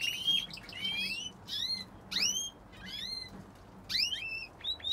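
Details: Canary in a home aviary singing quiet, clear whistled phrases made of bright, rising and falling sweeps, set apart by short pauses.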